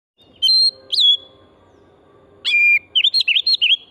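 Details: Oriental magpie-robin (kacer) singing strongly, used as a lure to stimulate other birds to sing: two high whistled notes, a pause, then a sharp rising note and a quick series of looping, warbled phrases.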